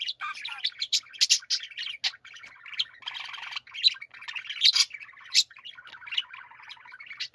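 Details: Pet budgerigars in a group chorus, mixing rolling buzzy warbles, grinding notes and sharp squeaky chirps in a steady, overlapping stream.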